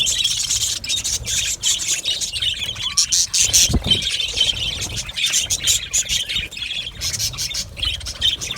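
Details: Aviary colony of budgerigars chattering together, a steady mass of high, rapid chirps and warbled twitters with brief dips, and one low dull thump partway through.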